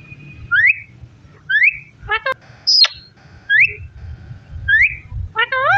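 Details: Parrot repeating short rising whistles about once a second, interspersed with a sharp descending squeak and rich, wobbly, speech-like calls, over a low indoor rumble.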